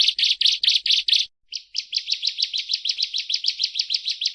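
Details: Ciblek, the bar-winged prinia, gives a few loud, clipped chirps, pauses, then launches into a quicker, regular series of high, slightly rising notes.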